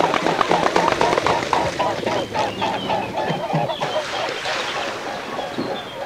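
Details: Flying mute swans over a European pond, autumn or spring: loud rapid pulsing wingbeats, several per second, blurred by rushing air and background noise, with faint thin bird calls late on.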